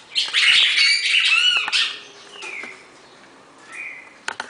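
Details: Red-crested cardinal pair in the classic four-note Bagé song style: a loud burst of rapid chattering, harmonic notes at the start, then softer whistled slurs and sharp clicks near the end.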